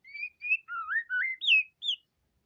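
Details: White-rumped shama in vigorous gacor song: seven clear whistled notes in quick succession, some rising, some swooping down, mixing low and high pitches in a varied fluty phrase, with no other sounds.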